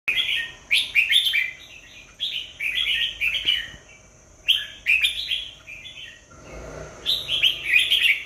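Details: Red-whiskered bulbul singing bright, chattering, warbled phrases about a second long, delivered in repeated bursts separated by short pauses, with a faint steady high-pitched hum in the background.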